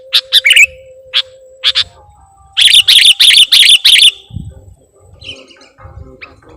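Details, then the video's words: Sooty-headed bulbul on a lure recording, singing energetically with a song full of borrowed notes. Sharp high chirps come in scattered pairs, then a dense burst of rapid repeated notes, and ends in soft low rustling. "KUTILANG PIKAT || BURUNG LEGEND FULL ISIAN DAN GACOR"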